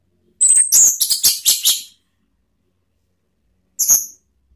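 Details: Lure song of an Orange-headed thrush meant to set other birds singing: a rapid run of piercing high whistles and buzzy chips lasting about a second and a half, silence, then one short high double note.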